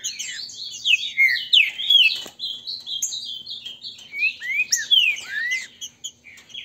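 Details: Contest between grego mole and boiadeiro song styles of captive Green-winged saltators in Brazil, played to stir birds into singing. Clear, arching whistled notes tumble in quick succession, with several phrases overlapping.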